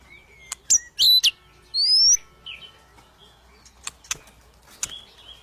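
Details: White-rumped shama in an agitated, fight-seeking mood giving sparse notes: sharp clicks, a pair of bright whistled notes and a longer rising whistle, followed by scattered faint ticks.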